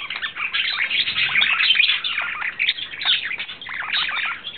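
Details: A courting male budgerigar, April 2009, delivers a dense, busy warble of fast twittering notes and brief squeaks, steady and unbroken throughout.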